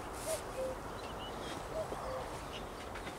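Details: Common cuckoo calling on 12 May 2021; two faint, low two-note cu-koo calls, the second note lower, repeated about a second and a half apart over a steady hiss of background noise.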